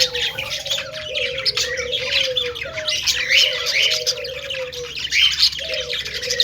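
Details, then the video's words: Several budgerigars, described as happy and playing, chatter continuously with dense scratchy chirps and squawks in the upper range, over a steady low tone that swoops slightly and repeats every second or so. "Budgie chirping sounds"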